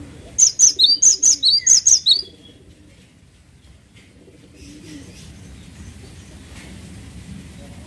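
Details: A single quick run of bright, high, two-toned chirps from a cinereous tit, about nine notes in two seconds, then only low background hum.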